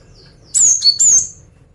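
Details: Female cinereous tit singing to lure males: two bright, high whistled notes, the first level then dipping, the second sliding slightly downward, about half a second apart over a faint low hum.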